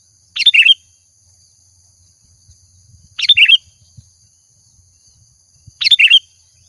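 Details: Energetic Sooty-headed bulbul lure song: three brief, bright, slurred phrases spaced about three seconds apart, with soft low background rumbles and a faint high hum.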